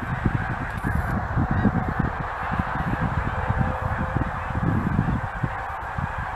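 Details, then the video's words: Huge flock of geese that stops by each year, a steady mass of overlapping low honks with no pauses, the calls blending into a thick chorus. "Huge flock of geese"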